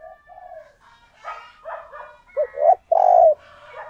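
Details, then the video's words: A decoy spotted dove calls to lure wild doves. After soft, murmuring notes comes a strong closing phrase: a short coo, then a long, slightly rising one. "Chim Cu Mồi Thúc Gù Gáy Gọi/ Tiếng Chim Cu Gáy Kích Bổi"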